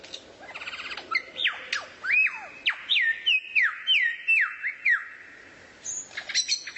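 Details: Songbird recorded as training material for white-rumped shamas, giving a buzzy rattle and then a run of loud whistled notes, each sliding sharply downward, repeated about twice a second and ending in high thin chips.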